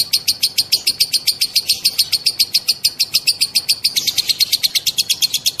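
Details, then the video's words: A female lovebird's drawn-out ngekek ngetik song, used as a lure for other lovebirds: a steady stream of sharp, high clicking notes, about seven per second, slightly brighter near the end. "BURUNG LOVEBIRD BETINA NGEKEK NGETIK PANJANG"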